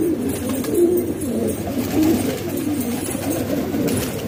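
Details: Domestic pigeons kept as a hobby in Pakistan, cooing in a house loft: overlapping low, throaty rolling coos from several birds blend into a steady murmur.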